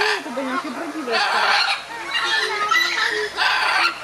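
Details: Scarlet macaws arguing: after a low human voice at the start, long raw rasping screeches follow in three or four drawn-out bursts, harsh and noisy, with a faint voice underneath.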